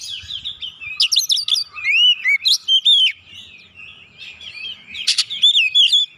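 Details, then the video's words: Oriental magpie-robin lure song intended to provoke singing: loud clusters of zigzag whistles, sharp upswept notes and harsh rasps, repeated in quick phrases with a short quieter break. "PANCINGAN Kacer langsung naik emosi ngotot bongkar isian"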